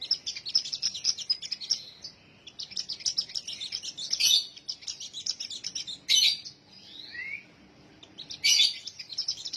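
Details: Sunbird singing a fast, high twittering stream of chirps, interrupted by sharp loud notes and a pair of slurred downward whistles partway through.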